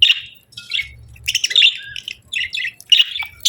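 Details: Pet budgerigars give lively chirps and buzzy warbled notes in irregular bursts, some notes sliding downward, in a quiet indoor setting.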